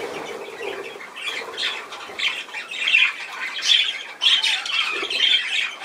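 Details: Budgerigar squawks and chirruping notes building from soft warbling to louder, sharp calls in the second half, several strident bursts a second apart.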